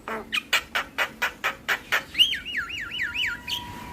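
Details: Javan myna song with full repertoire, used to lure silent or lazy mynas into singing: eight harsh rasping bursts about every quarter second, then a run of rolling, wavering whistles and a long steady tone.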